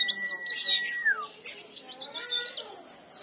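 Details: Leaf warbler singing hard, used as a lure for silent leaf warblers; a level whistle sliding downward, mixed with very high, fast, squeaky twitters that come in quick bursts.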